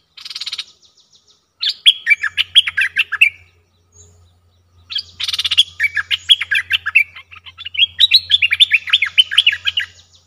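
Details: Repeated phrases of a streak-eared bulbul: a buzzy rattle leads into long, rapid runs of bright, bouncing chirps and warbles, the last run sustained for several seconds, with a light low hum in the background.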